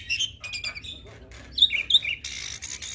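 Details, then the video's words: Brief burst from a hybrid starling's mimicry-filled song, used to tutor other songbirds: high squeaky chirps and thin whistles, ending in a harsh noisy rasp. "Jalak Silangan gacor Full Isian Pas Untuk Masteran Jalak Suren dan Burung Kicau lainnya"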